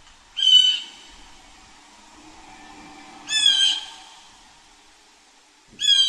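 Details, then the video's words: A blue jay gives harsh, nasal jeer calls: three short raspy bursts spaced about three seconds apart, with quiet background between. "Blue Jay Sounds"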